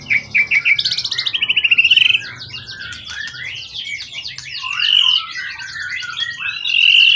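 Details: Calm, long-kept competition bird of wild forest origin, tail over 20 cm, in full voice: opens with a rapid rising trill series, then flows into dense, high, varied warbling and chattering phrases.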